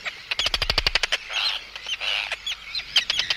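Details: Arctic tern anxiety and threat calls at an intruder, opening with a fast machine-gun rattle of clicks, followed by harsh hoarse screeches and short sharp notes.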